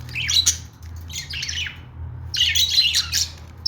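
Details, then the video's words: Budgerigars kept as pets give two clusters of scratchy chirps and squawks, split by a short gap, over a constant low hum. "budgies sounds | parakeet chirping sounds | budgie calling sounds"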